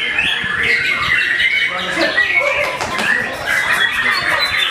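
A white-rumped shama sings a steady run of clear whistles and chattering phrases, loud and continuous, over a faint murmur of background voices.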